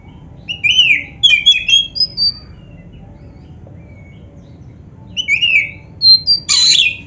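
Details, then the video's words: Oriental magpie-robin, black-breasted form, singing a training song: short whistled phrases and chirps in two bursts separated by a pause of about three seconds, with a harsh rasping note near the end. "SUARA BURUNG KACER MASTERAN GACOR ‼️Full Variasi isian MEWAH"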